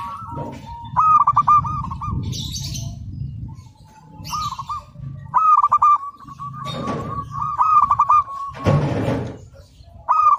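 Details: Zebra dove of a local type, recorded as a training master, delivers several bursts of rapid rolling coos separated by pauses, with brief noisy thumps and rustles between phrases and a low background hum.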